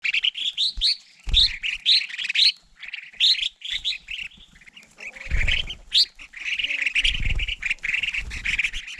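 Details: Crested finchbill visiting food put out for birds in winter: bright chirping calls in quick bursts, many with a sharp upward flick, some overlapping, with low thumps and knocks from the feeding spot.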